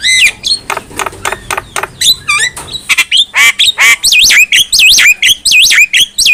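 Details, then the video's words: Black-winged myna song for training other mynas: rapid clicking notes give way to a fast run of rising-and-falling whistles, about one and a half per second. "KICAUAN JALAK KEBO | Masteran Jalak Paling Gacor,Hanya Hitungan Detik Saja Jalak Apapun Pasti Nyaut"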